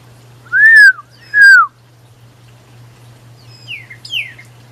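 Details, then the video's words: Two loud, arched, slurred whistles, each swelling then dropping, sung by a male Pyrrhuloxia calling his female in the Tucson desert. Two softer falling chips follow, with a low hum beneath. "How many calls does Pyrrhuloxia Male need to call his Mate?/Berapa cara Piruloksia pangil pasangan?"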